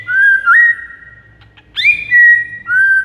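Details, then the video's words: White-rumped shama song used to lure rival shamas: long, smooth whistled notes, steady and gently sliding, in three phrases separated by short pauses. "MASTERAN 99% EFEKTIF PIKAT MURAI BATU LAWAN"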